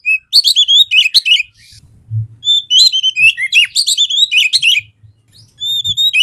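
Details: Oriental magpie-robin (Copsychus saularis, kacer) sings a rapid, varied stream of clear whistles, slurred notes and scratchy chatter in bursts, with one brief pause midway.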